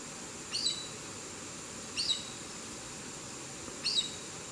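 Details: Chestnut-eared aracari (Pteroglossus castanotis) at Santa María, Boyacá, giving three sharp, high, squeaky notes spaced about two seconds apart over a steady background hiss.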